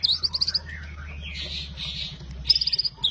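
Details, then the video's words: White-rumped shama singing: quick trains of high, sharp repeated notes, about eight in under a second, then a softer buzzy warbled stretch before another fast series of piercing notes, over a low steady hum. "Suara Gacor Murai Batu Jawara"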